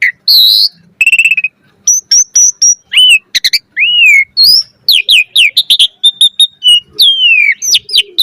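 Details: Asian pied starling in lively 'gacor mompa' song, a dense medley of high pure whistles, rapid trilled stutters, arched slurs and crisp clicks, tumbling together with almost no pause, recorded close in quiet surroundings.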